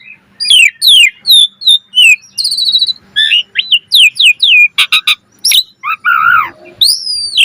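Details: Asian pied starling (jalak suren) singing actively in the gacor mompa style with full variation, used as a lure: rapid whistled slurs, falling sweeps, buzzy trills and sharp harsh clicks in quick succession, with a faint low hum.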